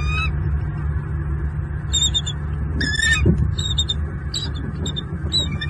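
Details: A pair of wild bald eagles in southwest Florida on an evening in late November 2022, mating in the nest tree, heard but not seen, picked up by a live nest camera. High chittering bursts break out over a steady low rumble.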